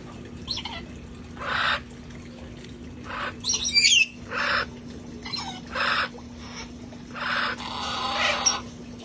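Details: Outdoor flock of sanctuary parrots playing before the cold arrived: frequent rasping squawks, a burst of twittering whistled chatter, and longer noisy screeches near the end, with steady low hum behind.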